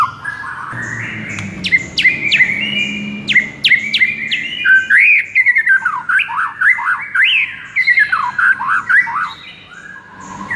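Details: White-rumped shama singing, used to lure and excite a sluggish shama: sharp high clicks and upswept notes open, followed by a rapid varied run of rising-and-falling whistled phrases, loud and rhythmic.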